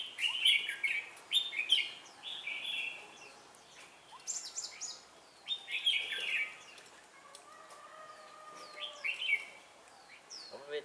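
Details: Red-whiskered bulbul used as a decoy while trapping wild bulbuls, recorded 4 December 2016: bright, warbled phrases of chirps and quick slurred notes, rising and falling, given in bursts every second or two, with faint background rustle.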